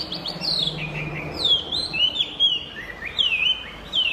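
Chinese hwamei pouring out a loud, varied song of rich slurred whistles, rising and falling phrases in quick succession with a faint low hum beneath.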